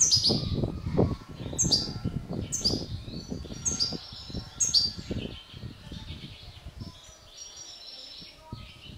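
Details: Captive mutation European goldfinches, bred in the 2016 season, make sharp high chirps repeated about once a second for several seconds, then fade. Steady low background rumble runs throughout.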